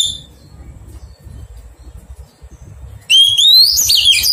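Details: Low murmuring background noise for three seconds, then a wild-caught Oriental magpie-robin under taming bursts into a loud rising whistle with quick warbled flourishes, cut off at the end.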